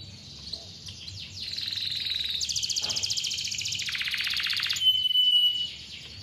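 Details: Canary song used as a lure for young or lazy canaries, heard somewhat faintly: soft sweeping notes leading into long buzzy rolling trills, then a thin pure whistle, over a low background hum.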